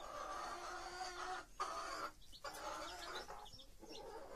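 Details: Hen with her chicks: loud, harsh, drawn-out harmonic calls come in long bursts separated by short pauses, with faint high peeps between them.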